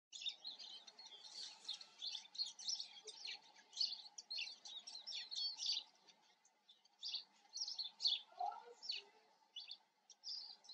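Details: Eurasian siskin with rapid, bright twittering and chirping notes in dense bursts, pausing briefly near the middle before resuming, over a faint steady low hum.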